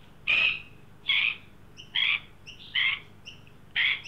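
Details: Australian magpies, one adult leading a juvenile, at a backyard birdbath in Sydney on a 43° Celsius heat-wave day, 9 December 2023; five rough, buzzy squawks repeated roughly every 0.8 seconds, with faint high chirps from other birds in the gaps.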